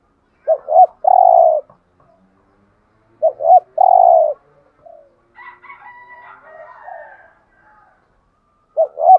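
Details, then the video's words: Spotted dove cooing in the 'giọng hạp' voice used to excite caged males: two phrases of a quick double note and a long coo, then higher chirps from other birds, and a new phrase beginning. "Tiếng Cu Gáy Giọng Hạp BổI ĐỦ BÀI { GÁY GỌI,THÚC,GÙ } Kích Bổi Nhanh Nổi"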